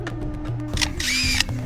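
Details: Australian superb lyrebird mimics mechanical sounds from its habitat: a droning, drill-like whine and quick clicking camera-shutter bursts, then a brief high whirr, over soft background music.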